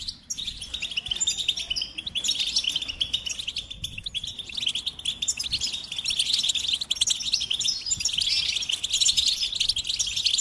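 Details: Goldfinch song as a dense, unbroken stream of fast buzzy twitters and chirps, steady throughout with only a short dip near the middle.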